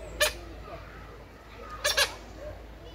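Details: Tarictic hornbill at Drayton Manor on 29 July 2022, flying across its enclosure then giving short, harsh, nasal calls: one at the start, then a quick double note about a second and a half later, over a low background hum.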